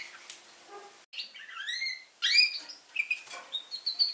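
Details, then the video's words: Young red factor canary singing: rising and falling whistled slurs, a harmonic-rich upward sweep and quick trilled notes in short bursts, with a brief silence near the start. "Red Factor Canary Finch Younge Singing Bird"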